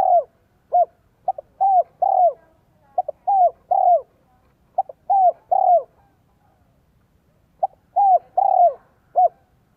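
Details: Spotted dove decoy voice, style 'son, 1 cốt lỡ', for luring wild doves: a rapid run of about five phrases, staccato notes leading into mellow descending coos, with a short break midway.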